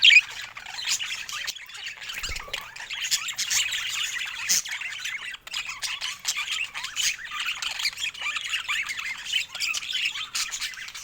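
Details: Budgerigars kept as pets give continuous high, scratchy warbling with sharp squawks and clicks over eleven seconds, overlapping in a busy chorus.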